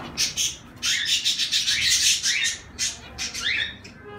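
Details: Zebra finches chattering in a rapid, dense flurry of high buzzy notes and nasal honks, some downslurred, many birds overlapping.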